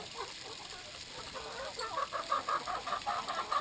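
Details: At water time, Brahma chickens cluck softly, then one bird repeats a short, clear, slightly higher note about three times a second, over a continuous high-pitched hum.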